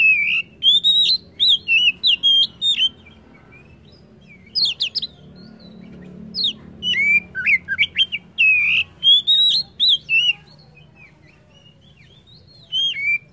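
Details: White-rumped shama song, loud and varied: rapid series of clear whistled phrases, high sharp chips and rolling notes in bursts separated by short pauses, over a faint low hum.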